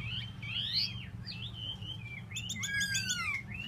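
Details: Tieu mi bird kept for solo singing delivers varied, fluid whistles: rising and falling slurred notes, then a burst of buzzy, rapid chatter and a long descending whistle, with a low hum underneath.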